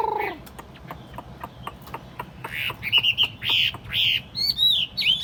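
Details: Tame caged Chinese hwamei, hand-carried and set on a table. It sings after a run of sharp dry clicks, then bursts into loud, clear whistled notes that rise and fall, with short pauses between the phrases.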